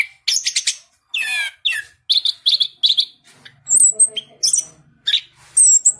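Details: Cage-bred orange-headed thrush with a ring, from a breeder in southern Malang, Indonesia, singing vigorously: dense trilled bursts, repeated sharp whistled notes, and high thin slurred phrases with short gaps.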